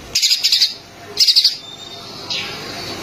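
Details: Green leafbird (cucak ijo), used to stimulate kacer, giving two quick bursts of high, bright chattering notes, each about half a second long, then a fainter phrase; little else is heard.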